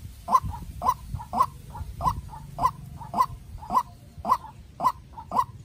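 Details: Decoy white-breasted waterhen, a young captive bird, facing off against a wild rival: evenly spaced hoarse notes about twice a second, each followed by a quieter echoing note, against low background noise.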